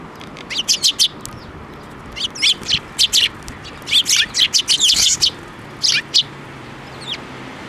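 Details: Flock of sparrows being hand-fed at a Tenmangu shrine on 7 May 2024, chirping busily: repeated bright, sharp chirps in fast overlapping bursts across several seconds, tapering to a few single chirps.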